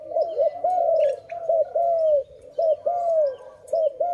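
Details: Dove filmed during bird trapping, later released, giving loud, repeated cooing notes, each a smooth arching coo, about one per second with short gaps and some faint background chirps.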